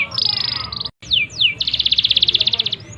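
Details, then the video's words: Canary in full song, used as a lure to get other canaries singing: a fast buzzy trill, two steep downward whistled sweeps, then a long run of rapid, evenly repeated bright notes. "Pancingan Suara Burung Kenari Gacor, AMPUH Rangsang Kenari Cepat Bunyi!!!"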